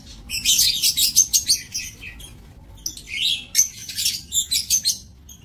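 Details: A breeding aviary of lovebirds, dated 7 June 2024, full of rapid, shrill, stuttering chatter, pulses repeating about three times a second in two long runs separated by a brief lull.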